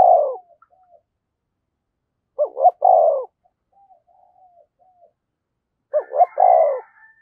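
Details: Decoy spotted dove, 'giọng thổ' calling style, used to stir wild doves into answering. The end of one coo, then two full phrases of two short hoots and a long deep note, with quiet soft coos between.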